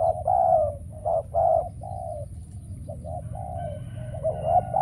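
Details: Spotted dove decoy calling during trapping: a few loud hollow coos followed by softer drawn-out ones, then a quieter stretch with faint thin whistles, all over low rumbling noise.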